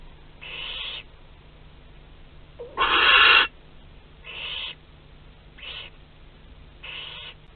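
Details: Barn owls in a webcam nest box at Théding on 27 April 2021, with live prey wandering inside. Five rasping, hiss-like screeches come at irregular intervals. The fourth is the loudest and longest.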